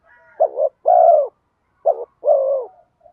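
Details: Spotted dove decoy call used to draw in wild doves. Two low phrases, each a brief broken note followed by a longer smooth, slightly descending coo. A faint higher note is heard at the start.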